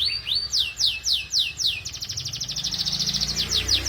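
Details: Young canary song used as a training recording: five loud downward-sweeping whistles about every third of a second, then a fast, dense trill of repeated notes over a faint low hum.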